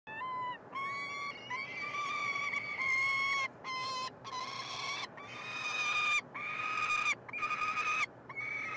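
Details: Three peregrine falcon chicks, hatched 26–27 May 2022, begging while being fed in a nestbox at the University of Montreal, Quebec, Canada, on 21 June 2022. Harsh, harmonic, wailing cries repeat in bursts about a second long, separated by short gaps.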